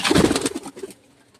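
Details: Domestic white pigeons, parents of one newly hatched chick, kept indoors: a brief run of soft, low, throaty cooing notes in the first half-second, fading out, with faint hiss and room noise.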